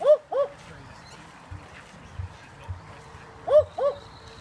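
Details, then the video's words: Barking owls at a wildlife sanctuary in Victoria, Australia, on 1 February 2018: a low, dog-like double 'woof-woof' heard twice about three seconds apart, over faint background rumble and a few soft low thumps. "Barking owls at the very end"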